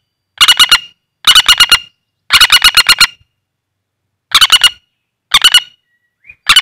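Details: Loud staccato rattles from a wild common flameback used as a trapping lure. Short trains of four to seven sharp notes repeat about once a second, with brief silences between.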